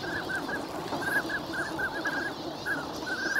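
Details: Wintering migrant ducks at Nagahama on Lake Inawashiro on a fine winter morning; short, nasal mid-pitched notes repeated in quick, irregular bursts from many birds over a steady background hiss.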